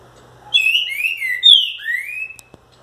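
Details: Green-winged saltator singing on 11 July 2019, still coming into form: a loud, rich phrase of clear whistled notes that slide down and up, about two seconds long, over a faint low hum.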